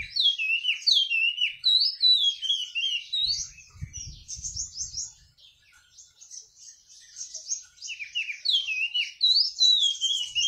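A lively, high twittering song of quick slurred rising and falling notes that runs almost without pause, with a brief low thump partway through.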